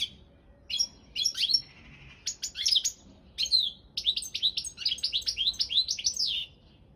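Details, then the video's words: Balkan goldfinch, Carduelis carduelis balcanica, singing for a goldfinch song championship: scattered sharp chirps give way to a fast run of repeated, downward-sweeping twittered notes, bright and high, in a quiet setting. "Pesma štiglića 002/23 World Championship in Goldfinch Song"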